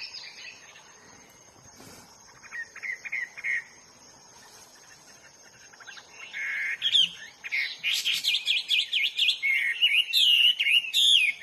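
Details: Hwamei singing in the wild: quiet at first with a brief soft whistled phrase, then a loud, fast, varied outpouring of warbled and slurred whistles over the final five seconds.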